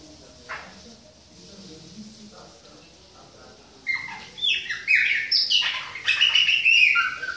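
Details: Bahia-type Chopi blackbird song, adult with a young bird, starting after a quiet spell with faint background sounds, then bursting into rapid, rich warbled and whistled notes that build in loudness toward the end.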